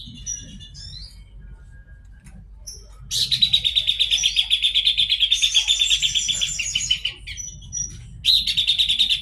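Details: Horsfield's babbler delivering a long rattling song of rapid buzzy pulses, roughly three per second, with high thin overtones, after soft scattered notes, and a final short burst.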